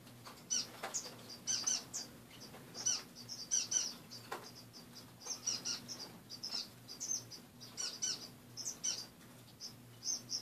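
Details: Several pet finches chirping in a cage in the morning: a steady run of high, short tweets repeated every half second or so, some clicks and rustles, faint hum below.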